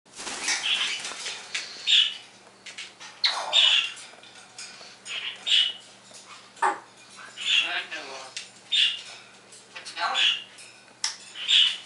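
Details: Pet parrot on a happy morning, mimicking sound effects and words indoors: repeated sharp chirpy bursts, bright and high, arriving roughly every second with brief pauses between.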